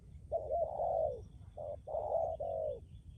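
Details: ['Spotted dove decoy bird from Lâm Đồng, Vietnam, a strong cooer with a long trailing coo, used for luring wild doves. Low, mellow coos are broken into a short note, then longer drawn-out notes, and the phrase comes twice.']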